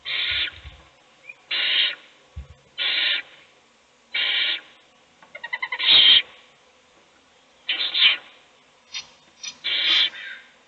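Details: Owl in a nest box as an adult feeds one chick while the other chicks sleep: harsh, hissing screech bursts of about half a second, seven in eleven seconds with uneven spacing, with a few short clicking notes between them.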